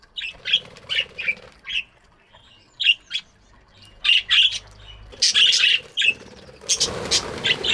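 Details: Chirping budgies in a morning aviary, trading rapid raspy chirps and squawks in irregular bursts that grow denser and louder toward the end, with a low hum underneath.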